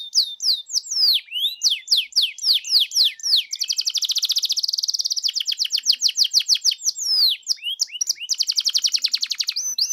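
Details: Canary song meant to set off a canary's singing: long lively song mixing rapid downslurred notes with fast, bright rolling trills, repeated in alternating runs.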